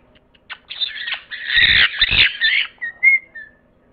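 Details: Parrot letting out a long harsh, buzzy squawking phrase with a couple of low thuds, followed by a few short clear whistled notes.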